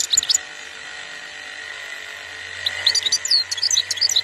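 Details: European goldfinch, a wild bird from Algeria, singing quick high tinkling twitters at the start and again through the last second and a half, over a low steady hum.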